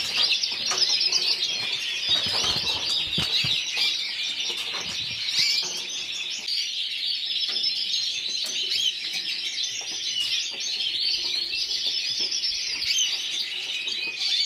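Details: Yellow frosted lipochrome canary, individual runner-up at the Burgos 2014 singing competition in Spain, singing a long unbroken high-pitched warble of rapid rolling trills and twitters, with occasional low knocks in the background.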